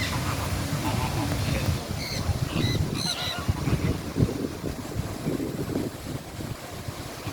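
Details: Scarlet macaw at Bird Paradise Singapore, giving a short cluster of harsh, harmonic-rich squawks around the middle of the recording, set against a constant low rumbling background of park noise.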